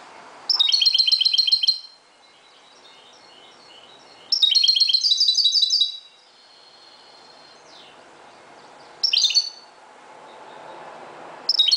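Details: European goldfinch, Moroccan form, singing at dawn: long rapid phrases of tinkling twitters and buzzy trills, with soft thin calls and pauses between bursts.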